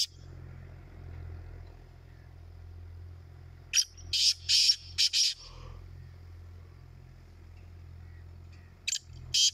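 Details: Calling competition between black francolins: after a quiet stretch, a loud phrase of five or six harsh rasping notes, then a later fragment of two more, over a constant low hum.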